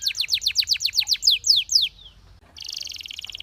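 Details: Belgian canary song for training: a steady run of quick descending high notes, a short gap, then a dense buzzy rattle.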